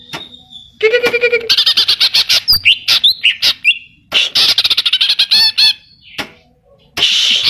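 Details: Greater green leafbird singing energetically with mimicry of kapas tembak and cililin: a low buzzy trill, long runs of rapid high chirps, sliding whistles and a harsh final burst.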